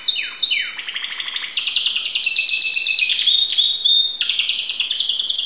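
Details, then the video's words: Greek Timbrado canary singing: a few steep falling whistles, then fast high rattling rolls and trills with brief sliding notes mixed in. "greek canary timbrado singing song"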